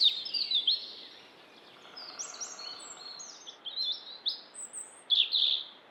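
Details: A European robin in Estonia sings thin, high, wavering phrases of quick notes, some sliding up to a sharp, very high pitch, with short pauses between, over a steady background hiss.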